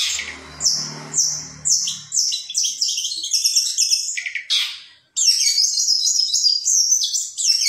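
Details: Hobbyist-kept long-tailed shrike, known locally as cendet, singing mimicked contest material from 2020. A faint low hum opens under rapid high twitters, then a short break gives way to an unbroken, dense, high-pitched warbling stream.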